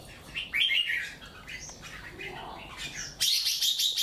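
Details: Caged wild-caught bird, three months in the cage and with one white claw, singing against a rival: scratchy chirped phrases, then a loud, dense burst of high, bright notes near the end.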